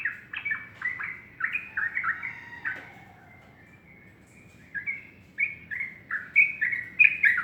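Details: Sooty-headed bulbul singing in the morning: a string of chirpy whistled notes, a near-silent pause of about two seconds, then a stronger series of bubbling phrases.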